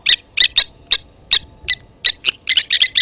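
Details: Blacksmith lapwings at Gowrie dam waterhole, Djuma Game Reserve, Sabi Sand Wildtuin, South Africa, 07:47 on 08/29/20, as one adult grabbed a chick from the nest and killed it; sharp metallic clinking notes, irregular, quickening into clustered bursts near the end.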